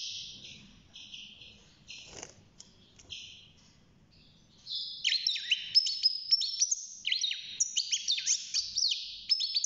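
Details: A six-month-old European goldfinch in a cage, beginning its singing, starts with soft scattered chirps. These swell into a loud, fast, tumbling twitter of slurred high notes.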